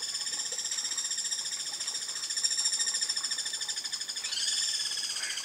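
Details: Free-living wild Guira cuckoos give a dense, continuous chatter of harsh, rapid notes with strong overtones, rising in pitch near the end. Several birds may be calling together.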